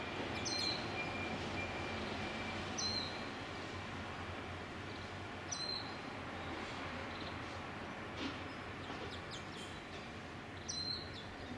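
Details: A single Japanese White-eye (Zosterops japonica) within a flock of tits in Ibaraki, Japan, 22 November 2012, gives thin, high, short call notes every few seconds over a steady rushing background noise.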